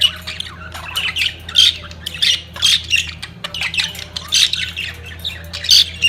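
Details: Budgerigars at the peak of mating keep up a stream of rasping squawks and chattering warbles, loud bursts coming several times a second, with a faint low hum throughout.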